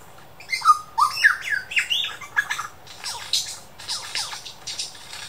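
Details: A superb lyrebird at the Dandenong Ranges Botanic Gardens mimics local birds and what sounded like a laser gun and a camera shutter: clear rising and falling whistles, then harsh, buzzy sweeps and rapid rattling bursts.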